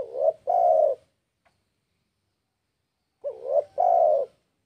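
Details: Spotted dove in breeding condition calling a rival: two soft, low cooing phrases, each a short rising note followed by a longer steady coo, about three seconds apart, with silence between.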